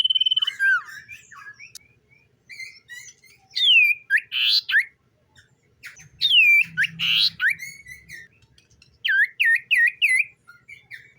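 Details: In the morning, a common iora sings loud, clear whistled phrases with sliding, swooping notes and chattering bursts, given in short bouts with pauses; faint low hum underneath.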